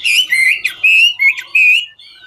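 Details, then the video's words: Chinese hwamei, a 'ngũ trường' singer, singing while dancing: a few long, loud whistled phrases, some steady and some wavering, broken by short pauses and ending in a soft fading note. "Họa mi ngũ trường hót múa cực chất"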